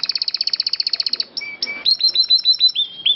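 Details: Canary in full, clear song used as a training recording for other birds, featuring a long roll. A fast even trill of about twenty rapid notes, two flat whistles, then a series of sharp rising and falling whistled notes, very clean.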